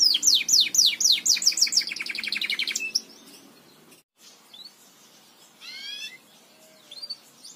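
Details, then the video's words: Belgian canary singing, recorded to teach other canaries to sing: about three seconds of fast, bright trills of descending sweeping notes, repeated several times a second, then near silence with a few scattered faint chirps. "CANTO PARA ENSINAR CANÁRIOS BELGAS"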